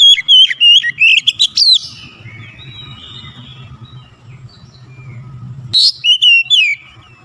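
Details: Oriental magpie-robin singing in a fast lure recording meant to set other birds singing: loud whistled, sliding phrases with sharp chirps in two bursts at the start and end, a quiet gap between, and a low steady hum underneath.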